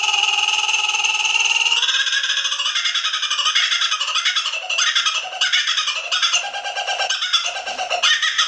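Kookaburra giving a loud, rich call: a held, ringing note, then a fast run of harsh chuckling notes rising and falling in a cackling chorus.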